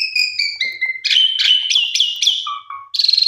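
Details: Pied myna song played as a lure to coax silent pied mynas into singing: clear whistled notes sliding downward, then a run of buzzy rasping syllables roughly every quarter second, low whistles and a harsh burst at the end.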